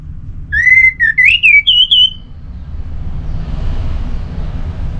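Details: Orange-headed thrush, North Bali, used as a lure for other birds: a two-second run of whistled notes climbing in pitch with slurs between them, then low rumbling background noise.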